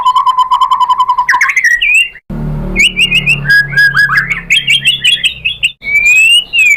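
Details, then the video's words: White-rumped shama song played to provoke rival shamas: a steady rattling run of repeated notes, then a low rumble, followed by rich whistled phrases, sharp chips and a final rising whistle. "pancingan AMPUH‼️ MURAI BATU ikutan NYAUT GACOR BONGKAR MATERI ¦ PANCINGAN MURAI ¦ SHAMA BIRD"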